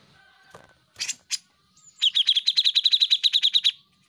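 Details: Grey-cheeked bulbul on a tutoring recording for caged songbirds: a few scattered harsh notes, then a fast, steady chatter of roughly fourteen high, clipped notes lasting under two seconds.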